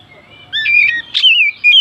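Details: Oriental magpie-robin song used to provoke other birds: a short, clear sweeping whistle and a sharp note, followed by a drawn-out, descending fluty tone.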